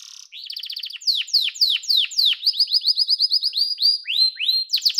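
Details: Yellow domestic canary song: after a short high buzz, loud downslurred whistles repeat about four times a second, then speed into a rapid, even trill of clipped notes and a few rising sweeps.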